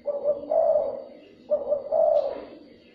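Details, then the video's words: Lure calling of a spotted dove meant to excite and draw in other doves: two soft, low coo phrases, a brief hooted lead-in swelling into a longer warbling coo, with a quiet background. "chim cu gáy , kích bổi siêu nhanh"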